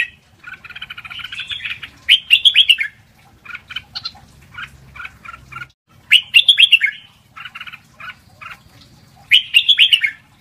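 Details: Red-whiskered bulbul singing 'lak wai' style song, played for teaching young birds to sing: rich rolling whistled phrases recurring about every four seconds, separated by short choppy chirps and stuttering notes, with a faint low hum beneath.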